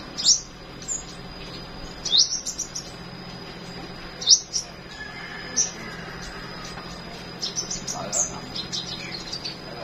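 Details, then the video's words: Flowerpecker singing in the morning: sharp, very high ticking chirps roughly every two seconds, with a faint steady high whine and soft background chatter. "Chim Sâu Hót"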